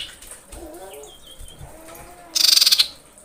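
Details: Breeding female common iora summoning males: faint soft warbled notes, then a loud harsh rattle of rapid even pulses for about half a second.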